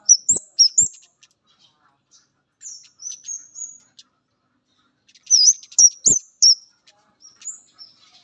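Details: Male orange-headed thrush on meeting a female gives bursts of high, squeaky upslurred whistles, with softer thin notes and long quiet gaps between the bursts. Short low thumps accompany a few loud notes.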